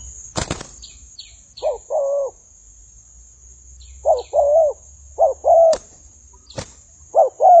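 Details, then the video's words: Decoy spotted dove in a fight with wild birds, uttering mellow, slightly wavering two-part coos in short bursts with gaps, broken by loud knocks and clicks and a few faint high chirps. "Pikat Tekukur Fight dengan Burung Liar"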